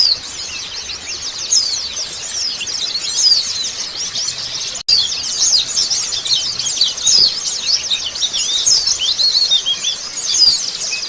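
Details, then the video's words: Oriental white-eyes used as a lure to make a bird respond and sing: a dense flock chorus of high, thin twittering notes, rapid and overlapping without pause, with a brief dropout midway. "PANCINGAN BURUNG PLECI BAHAN & OBYOKAN CEPET RESPON BUNYI"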